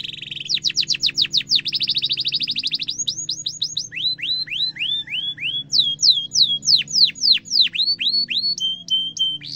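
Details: Canary song for training young canaries to sing, Indonesian gacor style. A buzzy burst, quick vertical chirp series, then varied curved whistles at changing pitches, with a low droning hum underneath.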